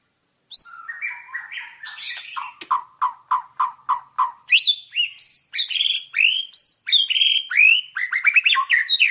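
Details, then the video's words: White-rumped shama (murai batu) on a master training recording: a rich, varied song opening with rising whistles, then a steady run of short clear notes about twice a second, ending in bright, fast, sweeping phrases. "Masteran Suara Burung Murai Batu"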